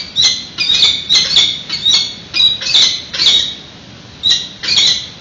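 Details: At a webcam-monitored peregrine nest in San Francisco, prey is brought in while the egg still waits to hatch; harsh scratchy cries sound about twice a second, uneven, with a short pause near the end.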